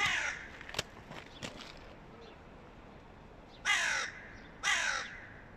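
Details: A boss crow's mate, a hooded crow, demands execution of a young crow; a fading harsh caw, scattered clicks, then two strong grating caws about one second apart.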